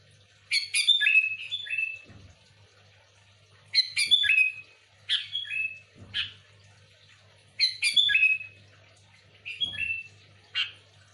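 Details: Lively sooty-headed bulbul song, a genuine recording for luring bulbuls: rich phrases of bubbly whistles sliding downward, repeated roughly every two seconds, with faint low clicks between phrases.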